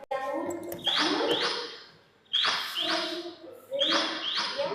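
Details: Recorded voice of a black-and-white wagtail played at an exhibit in the Salim Ali information centre: bright, sharp chirping notes in three quick bursts, each a pair of high descending strokes, with faint speech at the start.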